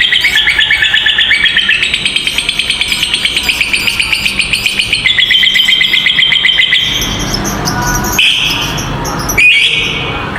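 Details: Lovebirds (fighter type) in a long trilling 'ngekek' song used as a master recording to train young lovebirds: a fast, high chattering trill of about four notes a second runs for seven seconds, then sharp high whistles.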